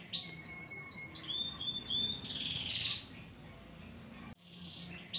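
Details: Canary said to be agitated and noisy: clipped high notes repeated in a row, then a thick buzzy rolling phrase, a sudden break, and a final bright chirp, with light background hiss.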